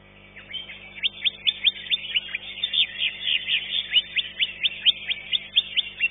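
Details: Greater green leafbird, a caged bird in a singing competition, placed second: rapid, high, sharp chirping notes repeated about twice per second in a steady run, over a dense, shrill warbling background.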